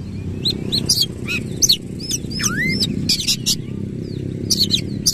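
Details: A white-rumped shama sings rough, coarse phrases with its tail fanned: scattered sharp high chips, a long falling-rising whistle and rasping bursts, with low murmur beneath.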